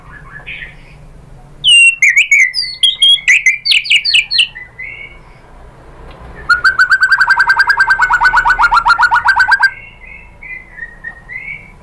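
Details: White-rumped shama song for drawing other shamas into song: rising whistles, then a rapid stuttering series of high notes, then a long even rattling trill of about forty fast beats, closing with soft whistled phrases.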